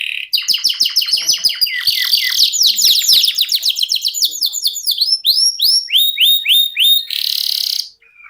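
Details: Canary in continuous song: rapid chattering descending notes, a dense rolling trill, then clear rising whistled loops repeated in steady series and a final buzzy note.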